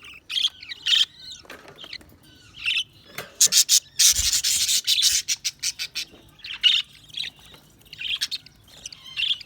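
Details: Budgerigars giving high, scratchy chirps and chatter, with a dense rapid burst of harsh rasping notes in the middle before scattered chirps resume.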